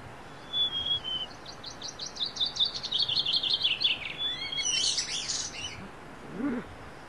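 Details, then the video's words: A wild niltava sings at dawn in the forest. A short high whistle leads into a long rapid trill of thin notes, with scratchier high chirps and a faint lower call after. "Wild Niltava Serenade: Nature's Morning Symphony"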